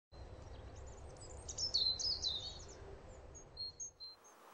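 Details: European goldfinch (Carduelis carduelis), song.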